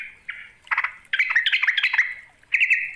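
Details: Yellow-vented bulbul call used to lure rivals: bubbly, chattering notes in short bursts, with one longer, tumbling run of gurgled phrases in the middle; no other sounds.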